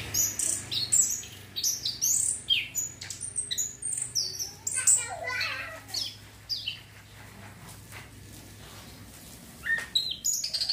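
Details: Orange-headed thrush singing, used as therapy to provoke breeding urge: bursts of shrill, varied whistles and chattering notes for about six seconds, then a quieter stretch before a final short burst.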